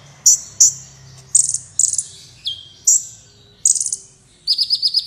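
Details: Black Sunbird (kolibri wulung), a training recording for competition birds: sharp high chips and squeaky bursts with one falling whistle, closing with a short rapid trill; low hum underneath.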